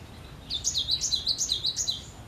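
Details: Cinereous tit singing energetically: after a short silence, a quick string of bright, high notes alternating high and low about eight times over one and a half seconds.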